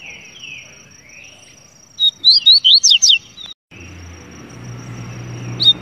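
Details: Double-collared seedeater song: a quick burst of about six clear, sharply slurred whistled notes, rising and falling, in the middle, with a faint steady high whine and quiet background before and after.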